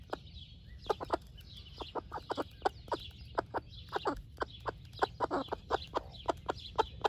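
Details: Broody splash laced red Wyandotte hen, a doting mother, sharing her breakfast with baby chicks: a steady run of short, low clucks, several per second, with soft high chick cheeps in the background.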